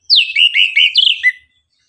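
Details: An orange-headed thrush sings in the morning, giving one rich, fast warbled phrase of sliding high notes lasting just over a second and ending lower; quiet background; used to rouse other birds to sing.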